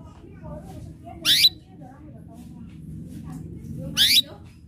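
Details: Canary in full voice chirping to provoke rival birds to sing, producing two bright rising chirps roughly three seconds apart. A low murmuring background and faint soft notes can be heard between them.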